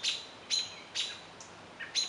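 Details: An American Robin gives its loud, sharp "peek" mobbing alarm, the primary call for high-stakes predators such as owls, about every half second with a softer note between, against a quiet background.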